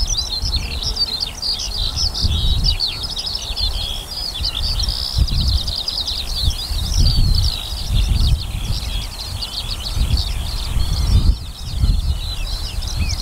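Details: Eurasian skylark pouring out song above a barley field, 28 June 2018, in summer: long, ceaseless, shrill warbling with rapid trills and buzzy chirps, accompanied by gusting wind rumble throughout.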